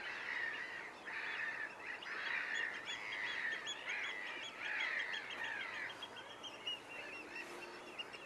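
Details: Whooper swans at Nosterfield on 28 February 2015, recorded with a Panasonic GX7 and Swarovski scope: a flock giving overlapping nasal, honking bugle notes, about one a second, in a steady ringing chorus.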